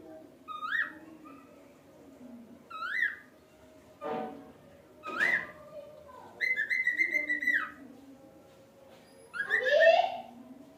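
A cockatiel gives short rising whistled chirps and one longer held whistle, with a few harsher bursts.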